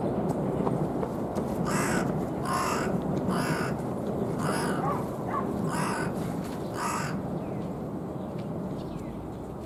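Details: Raspy, slightly hoarse cawing from a carrion crow puffing out its chest: a series of about seven short harsh caws at uneven intervals over a steady background rumble.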